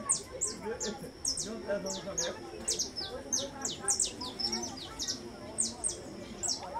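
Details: Saffron finch singing a fast series of high, clear downslurred chips, nearly two per second and irregularly spaced, layered over quieter mid-pitched warbles and soft background chatter.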